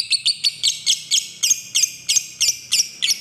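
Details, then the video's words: Lovebird ngekek, a long trill used as a lure to call a rival: steady run of sharp, high chattering notes repeated about three times per second, each a quick downward-bending chirp, clean background. "Pancingan Lovebird Terbaik Manggil Lawan"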